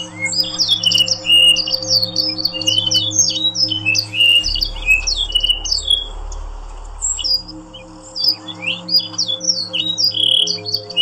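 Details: Yorkshire canary singing as a training sound for other canaries: dense run of fast chirps, sweeps and rising whistled notes, high-pitched and continuous, over a steady low electrical hum.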